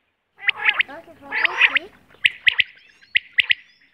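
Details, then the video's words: Natural quail voice recorded for hunting use: a quail gives crisp, high three-note calls in quick triplets about a second apart, after a burst of rougher, lower chattering notes. "Quail voice //Quail sound //Batair ki awaz"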